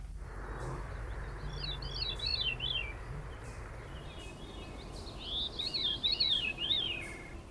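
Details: A Veery in Maine gives two breezy, flute-like phrases that spiral downward in rolling loops, a few seconds apart, over a low background rumble.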